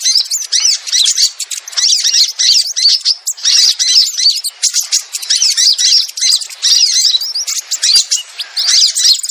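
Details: Sogon lure call, crimson sunbird, played to bring cautious birds down: continuous shrill chatter of quick chirps and trills, bunched in brief volleys with tiny pauses.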